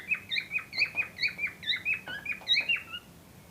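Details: Cockatiels, a pair prepared for breeding, giving rapid rhythmic chirps about every quarter second, bright bent whistles that fade out near the end.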